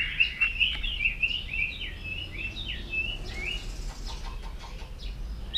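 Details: White-rumped shama morning song during voice training, heard at some distance: a string of soft warbled whistles that fades into quieter, scratchy twitters against a light background hiss.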